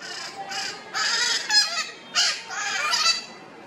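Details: Red-shouldered macaws inspecting their nest after returning in the morning; hoarse, drawn-out rasping squawks, some longer and smeared, in an uneven run of about six calls.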